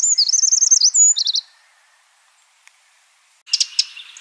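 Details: End of a wild Eurasian wren's song, a rapid high wavering trill and a few sharp final notes, followed by silence and then a short burst of harsh chattering.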